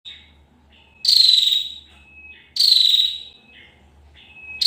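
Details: Female bar-winged prinia: two loud buzzy, slightly falling bursts about a second and a half apart, each linked by thin, steady, high whistled tones and soft ticks.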